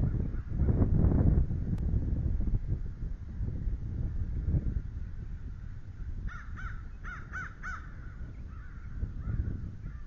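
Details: Bald eagle at a nest with a live camera, the male incubating eggs while the female is off the nest, morning of 9 March 2013. A quick burst of clipped, piping notes, about six in a tight series, rises over steady low wind rumble.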